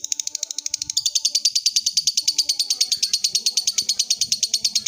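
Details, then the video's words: Lovebird calling a rival with a long ngekek trill: a rapid, steady run of sharp high chattering pulses, about three per second, continuing throughout with little change. "Suara burung lovebird ngekek panjang | Memanggil lawan"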